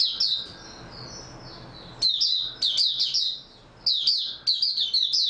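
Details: Oriental white-eye (mata puteh), said to have had a good sleep the night before, singing: quiet high twitters, then rapid bursts of thin, high, sweet chirps in clusters, with a brief pause before another chattering run.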